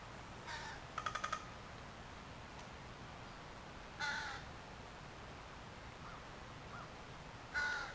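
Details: A wild crow in June in forest gives three harsh caws spread through the clip and once a quick dry rattle of about five rapid knocks, a woodpecker-like sound one particular crow makes.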